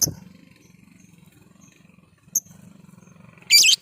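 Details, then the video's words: Lovebird lure call: two brief piercing chirps, then a longer harsh, shrill screech near the end, over a low pulsing hum. "suara pancingan burung lovebird"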